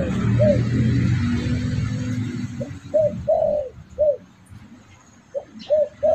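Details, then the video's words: Spotted dove coos played as a lure to draw in birds, starting after a stretch of low rumbling noise: short arched notes and one longer, fuller coo, then pauses and a further trio of coos. "Suara pancingan burung derkuku bakalan ampuh"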